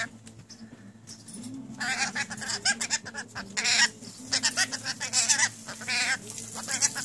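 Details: Several newly acquired pet rainbow lorikeets talking and chattering: a run of harsh, raspy, speech-like bursts packed closely together, loudest in the second half, over a steady low indoor hum.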